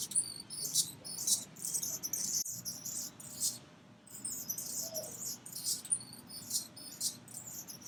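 Anna's hummingbird giving thin, scratchy, very high chips and buzzy squeaks in irregular bursts, about two a second, over a faint low hum.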